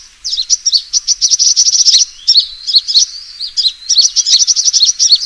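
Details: Sunbird fighting call used as a trapping lure: rapid, high, sharp chirping notes in dense bursts, with short pauses between runs.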